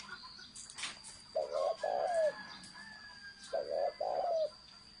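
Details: A spotted dove gives thổ sấm style cooing: two phrases of a quick two-part coo then a drawn-out, slightly falling note, over a thin steady high whine and light background noise.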